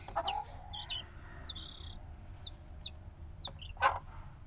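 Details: Days-old black chicks call with spaced, high downward-slurred peeps, less dense here, joined by a few softer lower chirps and a short scratchy rustle near the end.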